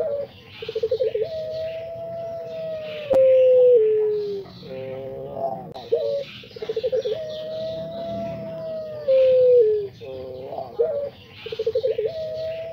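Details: Pelung-type Barbary dove (puter, also called anggungan) in full song: stuttering rapid pulses lead into a long, steady, drawn-out coo that dips at the end, repeated several times, with faint chirps of other small birds behind.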